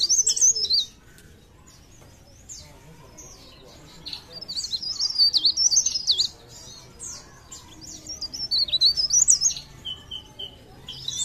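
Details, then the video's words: High thin twittering song of a leaf warbler (cikrak daun) from Parepare, delivered in three bursts of quick slurred whistles separated by quiet gaps of a few seconds. "CIKRAK DAUN | PARE PARE | BLERENG GACOR❗"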